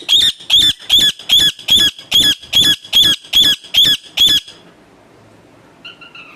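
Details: Eleven evenly spaced, high, rasping squawks from a pet parrot, about two and a half per second, stopping abruptly, then quiet with a faint descending sound near the end.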